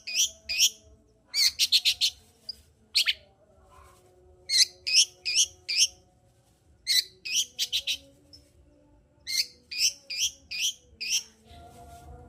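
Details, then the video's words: Hard-singing long-tailed shrike used to spur reluctant birds: clusters of three to five rasping, chattering notes in quick succession, groups repeating every couple of seconds over a low background hum. "Pancingan Cendet Gacor Untuk Menaikkan Birahi cendet Malas Bunyi"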